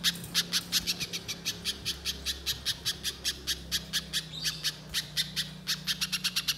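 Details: Little spiderhunter used as a lure to set other birds singing: rapid bursts of sharp, high, dry chips repeated several times a second, running almost unbroken through the stretch over a faint low hum.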